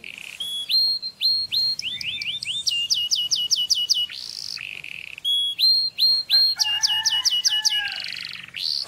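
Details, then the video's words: Canary singing, to stimulate mating: rising hooked whistles and quick falling note runs, a brief buzzy burst, then varied whistled phrases with lower warbling notes. "Beautiful canary singing, listen, do not miss it غناء كناري جميل اسمع لا يفوتك"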